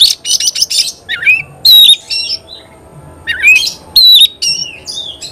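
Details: Oriental magpie-robin singing actively, alternating harsh scratchy bursts with clear, sliding whistled notes, each phrase separated by a pause of about a second.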